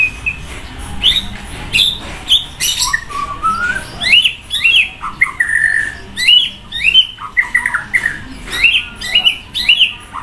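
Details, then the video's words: A loud white-rumped shama sunning by a main road pours out a varied song: rising and falling whistles, sharp upslurred notes and rasping bursts, delivered in rapid irregular phrases with short pauses. "Buat emosi naik murai batu jemur di jalan raya // suara mewah banyak isian auto keluar"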